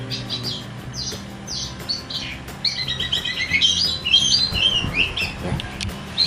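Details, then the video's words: A kept Oriental magpie-robin of nervous temperament, prepared for song contests, answers a played magpie-robin recording. Its song is a rapid run of varied high whistles, slurred upward and downward notes and chattering trills, growing louder midway, with faint clicks and low hum behind. "enak. Dia begitu mendengar suara kacer dia langsung responsif. Itu mendengar suara kacer dia langsung responsif,"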